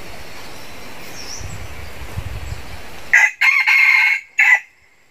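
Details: Red junglefowl crowing, one of a flock of more than 100 wild chickens raised from two jungle chickens: after quiet background hum, a loud, harsh, broken crow in several bursts, with the last burst following after a short gap.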